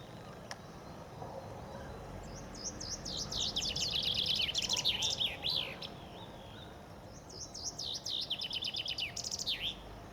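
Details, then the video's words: Common chaffinch in spring on the Ob riverbank near Novosibirsk, Siberia, one of several singing together. Two bright strophes of rapid, descending trilled notes, each roughly three seconds long, separated by a short pause, with a low background hum. "Пение зяблика весной. Зяблик поёт весной."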